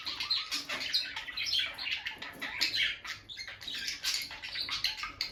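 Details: Bonded pair of captive peach-faced lovebirds near their nest box, the female going in and out, chattering continuously with dense, rapid high chirps and harsh squawky notes overlapping in quick irregular bursts, no speech or music.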